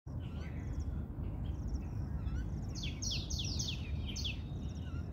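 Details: Myna birds crowding: a burst of harsh, descending chirps repeated several times over about a second and a half in the second half, with faint high twittering earlier, over steady low rumbling background noise.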